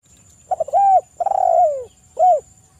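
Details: Spotted dove calling actively, a melodious coo: two quick stuttered notes, an arched coo, then a long falling drawn-out coo and a short closing arched note, with a faint steady high whine behind.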